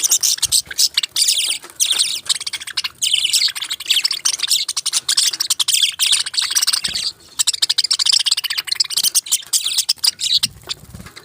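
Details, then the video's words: Budgerigars chirping in a steady, dense chatter of rapid high twittering and buzzy warbles, nearly continuous across the clip with only brief pauses. "Beautiful Chirping Sounds relaxing Voice"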